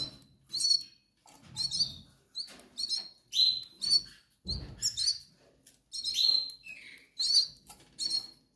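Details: Hungry young goldfinches in the Canary Islands begging, uttering high wheezy chirps roughly once a second, some rising whistles, with soft rustling and low thumps between calls.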